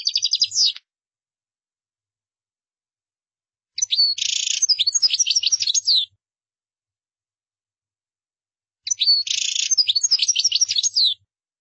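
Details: Goldfinch song delivered in three separate bursts of rapid, tinkling twitters and trills, each lasting about two seconds, with silent gaps of several seconds between them.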